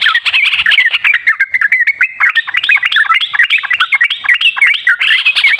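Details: Lure recording of sooty-headed bulbul song meant to prompt a reluctant bird to sing. Quick, jumbled warbling phrases of short rising and falling notes pour out continuously, several voices seeming to overlap throughout.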